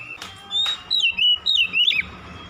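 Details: At dusk an Oriental magpie-robin sings a few sweet, wavering whistled phrases that slide down and up, preceded by two short broadband clicks and a thin faint whistle.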